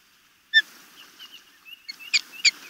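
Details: Osprey chicks at a nest near the Chesapeake Bay in Maryland during a feeding on 26 May 2018: one sharp, ringing whistled chirp, then thin soft squeaks, ending with two louder piercing chirps.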